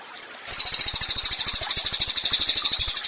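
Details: Chatty Cililin performing a training master for songbirds: after a short quiet start, a sudden burst of very high, piercing notes repeated rapidly and evenly in a buzzy, pulsing trill.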